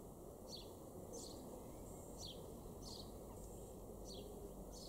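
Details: A male house sparrow in a garden in Weener, East Frisia, northwest Germany, in June gives short, bright chirps, roughly two every second, over a steady low rumble of background noise.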